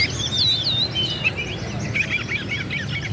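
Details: Kacer, the Oriental magpie-robin, singing in a provoking style meant to make rivals respond; clear, rising and falling whistles open the phrase, then a quick jumble of short twittering notes.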